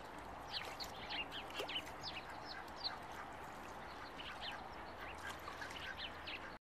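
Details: A group of July ducklings keeps up dense, overlapping high peeps and slurred chirps, some lower quacking sounds beneath, over constant background noise.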